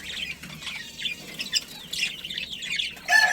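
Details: Budgerigars, a breeding pair in a family colony, give soft, scratchy warbling chatter with quick chirps, growing louder and sharper at the very end.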